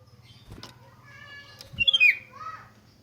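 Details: Sooty-headed bulbul singing as a lure for other bulbuls: a quick liquid, warbling whistled phrase in the second half, preceded by two soft thumps and low humming noise.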